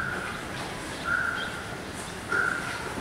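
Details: Red-vented bulbul adults protecting a 10-day-old chick after its first attempt to fly from the nest. Two short, level, slightly buzzy mid-pitched notes about a second apart over a steady quiet outdoor hiss.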